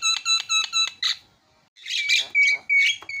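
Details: Asian pied starling in a noisy 'isian' fill-in song: four evenly spaced buzzy harmonic notes, a pause, then harsh chatter and clear whistled notes.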